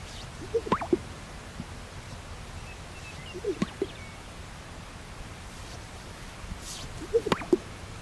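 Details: Greater sage-grouse in North America popping about every three seconds during its elaborate courtship display, the pops made by inflating air sacs on its chest: soft swishes, then two hollow, watery plops and a thin whistle, over a quiet background.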